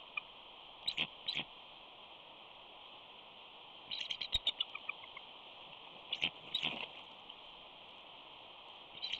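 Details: Wild bald eagle pair at a nest at Big Bear on an April afternoon during a nest switch: the female flies past and lands on a back limb while the male tracks her and calls. Bursts of high, thin chittering notes in three clusters over a steady hiss.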